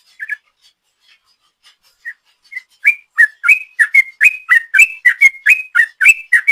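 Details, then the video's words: Lure recording of a sooty-headed bulbul in ropel song: a few scattered soft notes for nearly three seconds, then a loud, rapid burst of bright whistled notes. "Trucuk Gacor ropel panjang"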